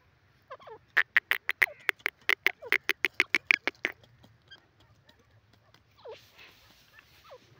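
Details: Teetar, the grey francolin, giving a rapid string of about twenty harsh, clipped notes over three seconds, then softer scattered chatter and short downslurred notes over faint hiss.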